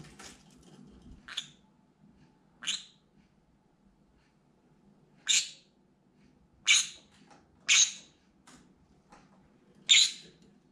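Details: Pet green-cheeked conure screaming from a window perch when outside sounds, movements or birds catch its attention: seven grating, high shrieks at uneven intervals, some softer and clipped, others loud and harsh, in a quiet room.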